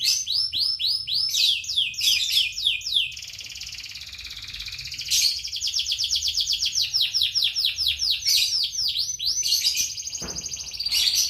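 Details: Fast, energetic warbling of a songbird: dense series of quick chirps about four per second, a drawn-out buzzy trill in the middle, and more rapid chirp runs over a soft low hum.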